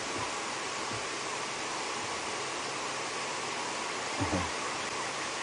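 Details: Constant rushing, waterfall-like noise during a safari drive, with a few dull low thumps and no clear animal call.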